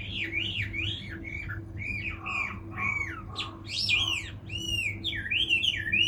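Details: A Chinese hwamei delivers continuous, strongly modulated whistles that swoop up and down, with sharp accented notes near the end and a faint steady hum beneath.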